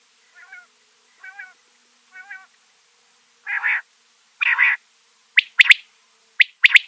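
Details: Mianwali quail calling, a recording associated with quail catching and hunting: three soft, nasal notes about a second apart, then louder rasping bursts and sharp, clipped double and triple notes.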